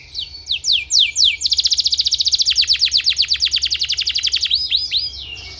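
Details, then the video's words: Canary singing a therapy song meant for training other canaries: a few high, steeply falling whistled sweeps, then a fast, even run of sharp repeated notes, closing with looping slurred phrases. "suara terapi kenari ampuh‼️"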